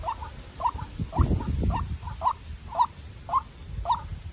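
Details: A young captive-raised decoy white-breasted waterhen confronts a wild bird in a contest, giving short, nasal, rising calls repeated about twice a second, over low thumps and rustling.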